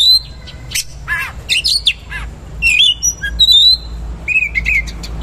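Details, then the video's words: Oriental magpie-robin singing loud varied 'isian mewah' material: buzzy bursts, sharp clicks, long level whistles and warbled phrases in quick succession. "KACER GACOR MATERI KASAR ROLL TEMBAK ISIAN MEWAH"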